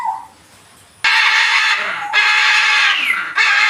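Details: Macaw screeching loudly: a long, harsh, raspy squawk starts abruptly after a quiet second, with brief breaks and a renewed burst at the end.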